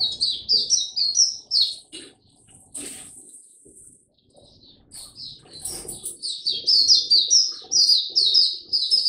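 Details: Oriental white-eye in a cage, 25 January 2022, singing after sleeping late: fast high chirping phrases broken by a sharp click and a quiet stretch, then resuming with louder, denser twitters, light clatter in the background.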